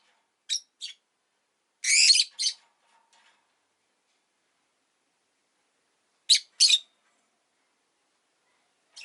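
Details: High, piercing chirps from a rosy-faced lovebird kept as a pet: two short notes, a longer harsh burst, then a pair of sharp calls after a pause, faint soft clicks between.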